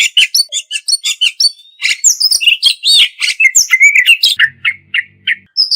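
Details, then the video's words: Kacer, or Oriental magpie-robin, in a full isian and tembakan tutor song. Rapid repeated chips lead into looping whistled phrases and rising slurs, and a soft low murmur follows near the end. "Masteran Mewah Burung Kacer Full Isian Dan Tembakan"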